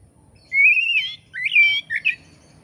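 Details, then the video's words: Oriental magpie-robin song prepared as training material for Indonesian songbird keepers: long rising whistled slurs followed by shorter twisting whistled phrases, clear and loud. "kacer gacor materi komplit kicau mania Indonesia"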